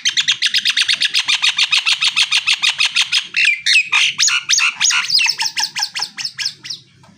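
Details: Song of a male Nias hill myna: a long fast run of about forty harsh, buzzy chips, roughly three per second, shifting midway into louder whistled and squawking notes before stopping; faint hum underneath.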